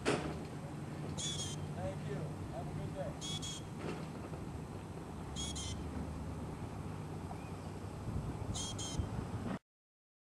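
A loggerhead shrike gives short, harsh, scratchy high bursts, some doubled, about every two seconds over a steady low traffic rumble.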